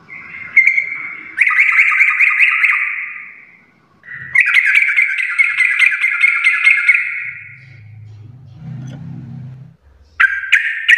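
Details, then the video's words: Energetic trucuk, or sooty-headed bulbul, in full garuda-style singing: long rasping, chattering phrases several seconds each, separated by pauses, with a low murmur in one gap and a sudden loud burst at the end. "trucukan gacor full Garuda parah"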